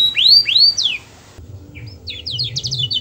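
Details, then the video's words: Canary song, sung to draw other canaries into singing: two loud swooping whistles and a falling slur, a brief pause, then a soft burst of quick high chattering notes. "Suara burung kenari bernyanyi merdu yang lain awas ikut bernyanyi"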